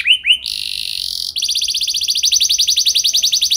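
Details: Canary song used as a lure to get other canaries singing: two quick rising whistled notes, then a sustained bright tone, then a fast, even trill of short chirps that grows louder toward the end.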